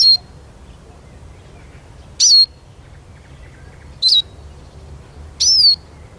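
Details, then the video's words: Eurasian siskin with a series of high whistled notes at uneven intervals, each a squeaky rising-and-falling twist ending in a thin level tail, over quiet low background noise. "Как поет чиж"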